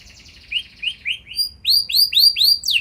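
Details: Canary song used as a lure to provoke other canaries into answering with long rolling song: high slurred whistles repeated about every third of a second, then louder, faster arching notes.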